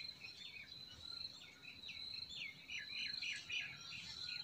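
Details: Spring chorus of forest birds, a quick string of short rising and falling chirps growing louder toward the end, set against a steady high-pitched drone and soft background hiss.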